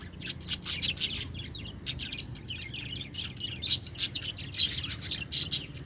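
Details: Lively budgie chirping with dense high twitters and a few clear whistled pips, an almost continuous chatter in an even rhythm; faint low hum.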